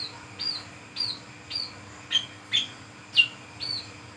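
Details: At night, a Brown-throated sunbird sings its ngriwik ngeplong song, used as a lure: thin, high arched chirps repeated about once a second, each a quick upward flick falling away, over soft background hum.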